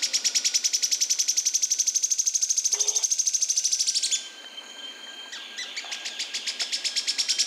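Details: Yellow-chinned spinetail giving a four-second rapid rattle of high, evenly repeated notes, a short lull of soft chips, then another fast trill starting.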